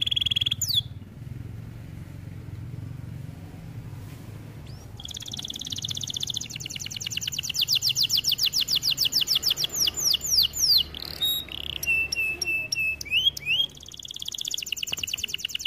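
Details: Training canary song: opening sweep, quiet gap with low hum, then a long fast trill, flat whistled tones and another trill.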